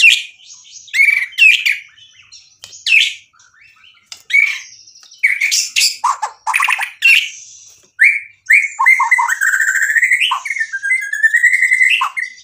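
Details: Active, full-isian singing by a white-rumped shama: a long varied run of sharp bursts and chattering notes, followed by a steady string of rich whistled slurs that repeat quickly.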